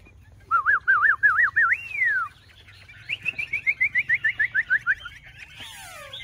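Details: Two tame Chinese hwamei carried by hand and singing against each other in a fighting contest: loud warbling wavy whistles ending in a long falling slide, then a rapid run of about a dozen short clipped whistled notes, a man's rhythmic calling between phrases.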